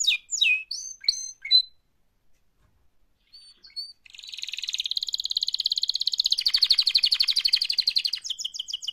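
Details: Canary singing its mating call: loud sliding whistled notes and chips, a short pause, then a long, fast, buzzy trill of repeated high pulses closing in quick whistles.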